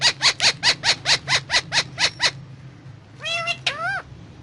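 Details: Indian ringneck parakeet eating guava: a fast series of eleven harsh, buzzy screeches about four per second, then a pause and two rising-falling squawks with strong harmonics, over a steady low hum.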